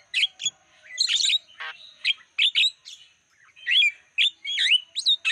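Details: Lure song of a Javan myna meant to attract wild birds: scattered squeaky chirps and short looping whistles, with one grating rasp, separated by brief pauses.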